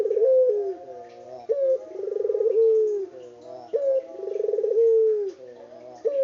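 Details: Local puter dove calling energetically in an unedited recording: low, rolling coos, each opening with a sharp rising note, swelling into a vibrating trill and ending in a drawn-out falling tone, repeated about every two seconds.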